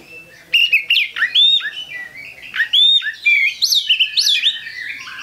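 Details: Oriental magpie-robin song bursting in after a quiet half second: a rapid, rich run of clear whistles, slurred up-and-down sweeps and short chattering notes, continuing to the end.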